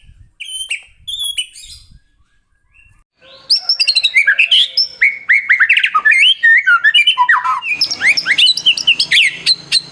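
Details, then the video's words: White-rumped shama singing to encourage other shamas to sing: a few short whistled notes, a pause, then a dense, loud outpouring of rich, varied warbles and whistles with mimic-like twists and rapid chatter. "suara burung murai batu buat merangsang bunyi murai batu"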